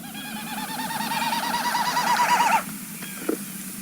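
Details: A Wilson's Snipe's winnowing flight display over a wetland, often heard in the evening: a hollow, quavering hoo-hoo-hoo of about ten fast pulses a second, swelling louder for two and a half seconds before stopping, over a low hum.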